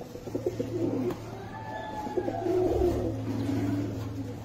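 Fancy pigeons give low, throaty cooing notes that swell and fade in soft rolling phrases.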